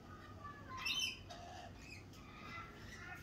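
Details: Lorikeets at a cafe in springtime give one loud, grating, broadband squawk around the one-second mark, followed by quieter scratchy chatter against a low background rumble.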